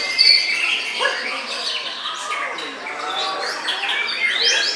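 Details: White-rumped shama song with a sharp opening note followed by tumbling whistled phrases, quick chirps and rising sweeps in steady succession.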